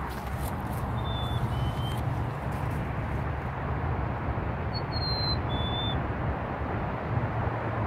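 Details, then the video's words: Black-capped chickadee in Burlington, Canada, on 26 March 2018, whistles its clear two-note fee-bee song twice, each falling from a higher note to a lower one, over a steady low rumble. "black capped chickadee song"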